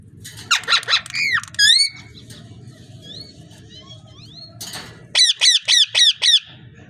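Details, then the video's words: A parrot produces a burst of rough, buzzy notes and rising whistles, a quiet stretch of faint chatter, then five sharp repeated squawks about a quarter-second apart. "Amazing parrot talking and voice"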